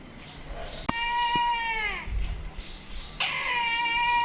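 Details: Brahminy kite, a resident bird, at Indawgyi Wildlife Sanctuary, Kachin State, Myanmar, gives two long, wheezy, cat-like mewing squeals; the first holds steady then slides down in pitch, the second starts sharply and levels off.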